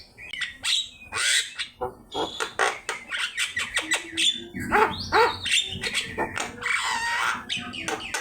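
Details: Javan myna in full song, a master recording for training birds: dense run of harsh rasping notes, clicks and whistled slurs in quick irregular bursts with a few buzzy squeals.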